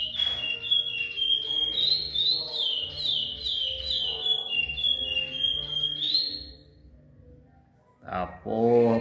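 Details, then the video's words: A captive-bred chestnut-bellied seed finch (curió), a repeater singer from Goiás, sings a long, flute-like run of clear whistled notes rising and falling for about six seconds; a man speaks briefly at the end. "Curió repetidor"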